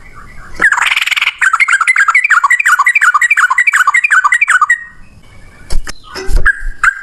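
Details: Yellow-vented bulbul delivering a fast ropel song in one long breath, a dense stream of loud, quavering notes pulsing many times a second for nearly four seconds, then a few scattered clicks and knocks.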